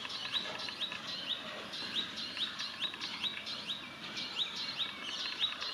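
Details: Male sunbird in Israel giving a warning call: a rapid run of sharp, high chirps, several each second, in a steady insistent series; faint background hiss throughout.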